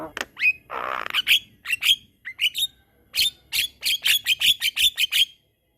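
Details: Javan myna in lively, long rolling song meant as a master recording for training other mynas: rapid harsh chatters and squawks mixed with sharp high whistled notes, one broad raspy burst near the start, notes tumbling about twice a second.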